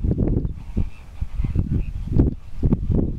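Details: Displaying greater flamingos give deep, goose-like honks and gabbling grunts, several birds overlapping in quick, uneven bursts over a steady low rumble.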